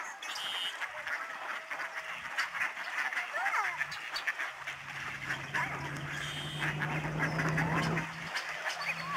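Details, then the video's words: Huge flocks of snow geese flying and swirling down from the sky at a migratory bird sanctuary in the Fraser River estuary, Delta, British Columbia, Canada, on March 24, 2011; a dense chorus of overlapping honks over a steady low hum, with voices now and then. "Snow geese flying and honking"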